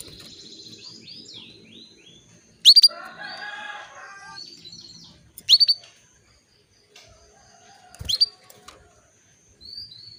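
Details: Female canary used to lure and stimulate a male toward breeding: sharp rising chirps recur every few seconds, with softer whistled trills and warbling from another bird in between.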